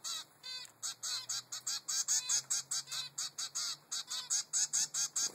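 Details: Persistent food begging from a three-week-old male zebra finch chick toward its mother: a steady stream of harsh, nasal calls repeated about twice per second, with a faint low hum underneath.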